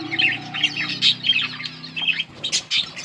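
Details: Pair of yellow budgies giving a continuous stream of buzzy, chattering chirps, then a few louder separate squawks toward the end; a low hum underneath.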